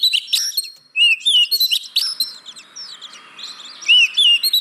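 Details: Oriental magpie-robin (kacer) song played as a lure to prompt reluctant birds to sing: rapid, varied high whistles and chirps with sweeping upslurred and downslurred notes in dense bursts, a short pause near one second.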